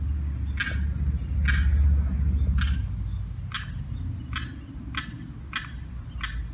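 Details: Distress calls of a young Limpkin wandering alone, cut off from its mother and sibling by a fence: eight sharp, buzzy notes repeated roughly every 0.8 seconds, with a low rumble swelling early on.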